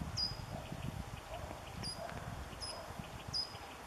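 Short-toed treecreeper giving brief, high, piping 'tüt' notes, four in about four seconds at uneven spacing, over a low rumbling background.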